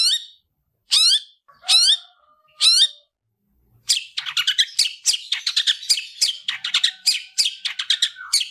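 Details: Long-tailed shrike fighting song for training: several harsh, buzzy notes spaced about a second apart, then a rapid, dense run of scratchy chattering and mimicked chirps.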